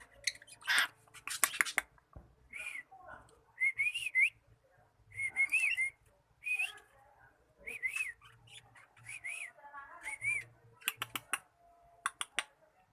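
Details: Cockatiel learning to sing: scratchy bursts give way to a string of short wavering whistles and paired notes, repeated about every second, with a few sharp clicks toward the end and faint low hum beneath.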